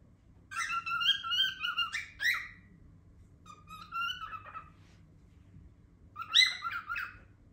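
A cockatiel gives loud, harsh chattering calls in short bursts, as if attempting a word.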